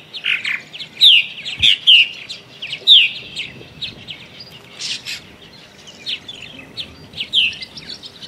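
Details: Purple martins newly arrived in early March, flying around choosing nest cavities and seeking mates, chattering in a busy run of gurgling chirping notes and short downslurred whistles, several birds calling over one another.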